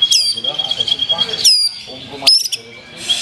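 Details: Black-tailed form of white-rumped shama delivering long, clear, high whistled notes, each opened by an abrupt sharp upsweep, with softer chatter underneath.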